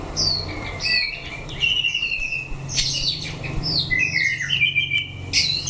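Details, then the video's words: White-rumped shama under fighting test pours out repeated high whistles and fast descending slurs with interspersed harsh squawky notes, continuous and energetic, over a low hum. "Chảo lửa test chim đấu (shama bird singing)"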